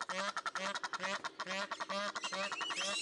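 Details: Egyptian goose at the Upie Zoo bird garden in Drôme, France, giving a rapid series of harsh, nasal, honking calls, about two per second, with a person speaking faintly nearby.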